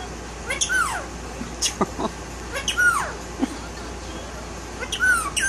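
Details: Male Indian ringneck parakeet repeats a clear, high whistled phrase that arches then slides downward, three times roughly two seconds apart, with short clicks and a low human voice between.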